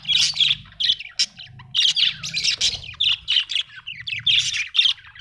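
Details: Happy budgerigar in continuous, loud chatter: raspy warbling notes and squeaky chirps in quick rhythmic bursts, with a low hum underneath.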